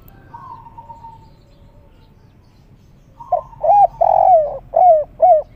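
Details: Spotted dove on a tiled roof, calling agitatedly in the three-note kuk 3 style, described as melodious and rare. A faint, thin whistle drifts first, then loud low coos arrive in quick short notes ending in a longer, throaty coo.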